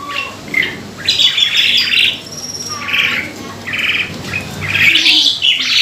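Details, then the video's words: Asian pied starling, locally jalak suren, delivering a lure to bring on singing: harsh buzzy chatter in bursts, low whistles, and a rising whistled note near the end. "BONGKAR ISIAN JALAK SUREN ( PANCINGAN JALAK SUREN )"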